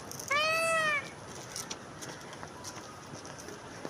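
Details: Wild peacock giving a single loud, nasal, arching wail of about half a second, then quiet background with faint scattered clicks and rustles.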